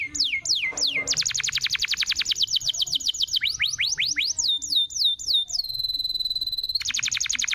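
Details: Indonesian canary lure recording; loud, rapid trills of sweeping whistled notes repeated several times a second, a descending series of slurred notes, a brief steady high tone, then more fast trilling.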